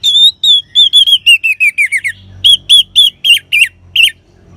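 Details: Orange-headed thrush in the ngeban song style, used as a lure to get caged birds singing: a fast run of clear whistled notes, first level, then downslurred, then sharper looping notes, about three per second with brief gaps.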